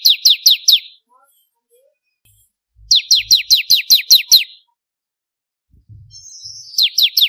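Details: Master song for training songbirds: bar-winged prinia (ciblek kristal), one of four variations. Quick series of downward-sweeping chirps, four then seven, before a new run begins. Faint low knocks in the background.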